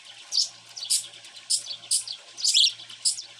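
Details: Pet cockatiel, grown from a baby into a young bird, giving short, bright chirps in quick bursts, roughly two per second, with a faint low hum underneath.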